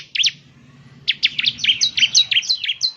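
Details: A caged bar-winged prinia lure song, one sharp note and then a rapid, jumbled run of high, twisting chirps.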